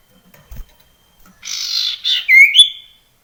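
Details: Common iora in the wild gives a grating buzzy note, a short second buzz, then a clear whistle sweeping upward and a final higher held whistle. Quiet otherwise.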